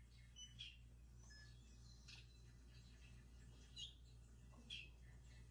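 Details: A male Hooded Oriole, one of the males already here in March, earlier than the usual April arrival, gives his call: short, sharp, chattering calls and quick rising notes, about one a second, over a steady low room hum.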